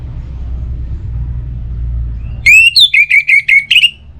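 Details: Orange-headed thrush, played as a lure at dawn and dusk to spur other birds into song, delivers a loud whistled phrase of about eight clipped, repeated notes after a stretch of low rumble.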